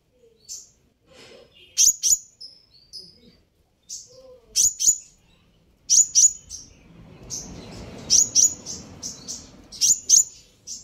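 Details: Sunbird call used to provoke answering birds: repeated bursts of piercing high chirps, often doubled, interspersed with softer thin notes, with a low hiss of background noise rising through the second half.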